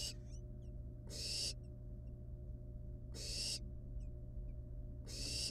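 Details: Nestling wild barn owls at the nest with a rat still alive; three loud rasping hisses spaced about two seconds apart, with faint small clicks between them and a low background hum.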